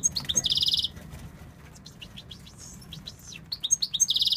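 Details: Tunisian European goldfinch male singing: opens with a dense rattling buzzy trill, then a run of twittering downslurred notes, ending in another rapid buzzy trill; faint low background rumble.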